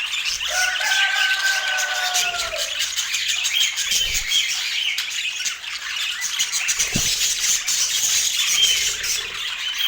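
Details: Several pet budgerigars feeding on sweet apple chatter constantly in high scratchy twitters; a held lower tone with overtones runs early on and a short knock sounds near seven seconds.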